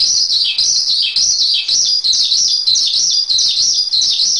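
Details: Song of a Javan pied starling for masteran: continuous high, scratchy warbling with short dipping notes, less regular in rhythm, and no background noise.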